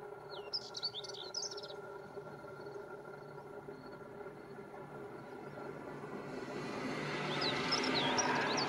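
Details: Male Spectacled Warbler at Gáldar, Gran Canaria, February 2023, sings two short, fast, high scratchy twittering phrases several seconds apart, over background noise that grows louder toward the end.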